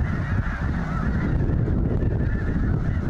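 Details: A huge flock of snow geese, thousands strong, at Goose Pond Fish & Wildlife Area, Linton, Indiana: constant layered honks merge into an almost deafening din with deep background rumble.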